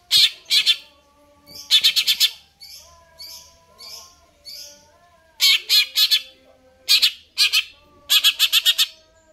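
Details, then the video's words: Cucak ijo, the greater green leafbird, in full vigorous song (gacor), pouring out rapid trains of four to five harsh, rasping notes, broken by softer hoarse calls and faint whistled tones. "cucak ijo"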